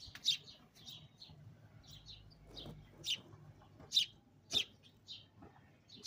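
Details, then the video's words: Close-up sparrow just outside a window chirping loudly. Sharp, clipped high notes come in irregular bursts, roughly two to three a second at their peak, with quieter twittering between them. "Bird Singing outside window upclose"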